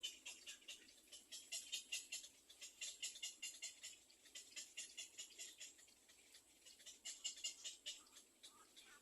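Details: Little egret chick at its second nest, crying to its parents for food: fast, dry, high-pitched ticking chatter repeated about two or three times a second in rhythmic bursts, with a steady hiss behind.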